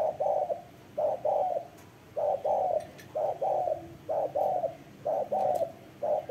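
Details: Spotted dove uttering paired hollow coos, one short and one longer, repeated steadily about once a second in a quiet setting.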